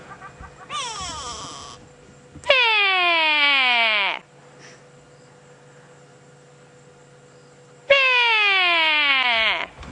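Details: On a sunset safari drive on 7 May 2017, a go-away bird hopping on a knobthorn tree alarms at the observer with three loud, nasal, downslurred calls, each one to two seconds long, with a low engine hum between them.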